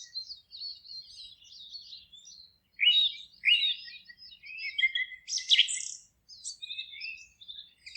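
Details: Several forest birds singing together, a busy mix of high chirps, twitters and short trills overlapping throughout, with a louder buzzy burst of notes around the middle and no other clear sounds.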